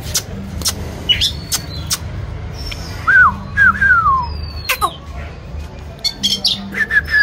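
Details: White-rumped shama singing while dancing: a run of clear, mellow whistled notes, each curving up then falling, joined by a few high thin whistles and scattered sharp clicks against a quiet background hum.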